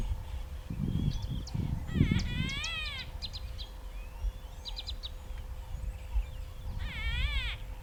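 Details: Greater blue-eared starling from southern Africa, giving nasal, buzzy, wavering notes in two bursts with a few short chirps between, over steady low rumbling noise and a constant faint hum.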